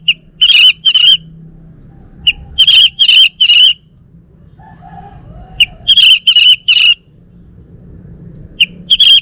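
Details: A caged male Bali orange-headed thrush produces harsh, scratchy chattering phrases, each a few rapid repeated notes, delivered in clustered bursts separated by several seconds of quiet.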